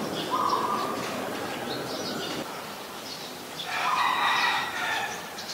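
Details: Adult zebra dove in Ubon Ratchathani, Thailand, 24 February 2022, uttering a quick rolling trill early on and another about three seconds later, while other birds chirp higher and background noise hums.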